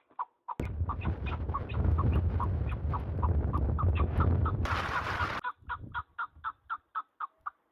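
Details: Partridges in the mountains: repeated harsh chuck notes run through loud roaring wind-like noise with a sharp burst of hiss, then stand out clearly, about four per second, in the final seconds.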